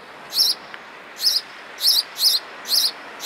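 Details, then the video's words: Sparrow song: a run of short, bright, high chirps, six in just over three seconds at uneven spacing, each a quick double-toned note, over a quiet, steady background. "Song of sparrow"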